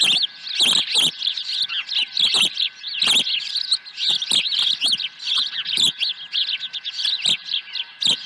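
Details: Osprey calling at its nest on 23 April 2020 as a second fish arrives; dense, overlapping piercing chirps and whistles pour out almost without pause over a faint constant hum.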